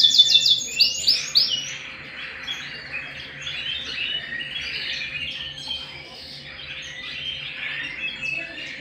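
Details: Canary singing at home, opening with a few loud sharp high sweeps, then a softer, continuous rambling warble of mixed notes.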